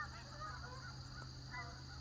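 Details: Distant geese between a lake and a pond, heard all day, honk in short nasal bursts, one cluster early and another near the end, over a steady low hum and faint background hiss.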